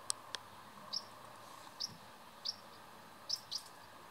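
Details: Two young common house martins in the nest on 31 July 2019, fed by their parents every two or three minutes, give short, high chirps, singly or in quick pairs, about once a second, after two sharp clicks, over a faint steady hum.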